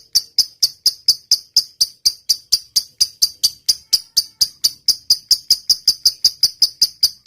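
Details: Lovebird giving a long 'ngetik' (typing) song as a master recording to set other lovebirds singing: crisp, high, clicking chirps delivered in a fast, regular run of about four per second throughout, with a clean background.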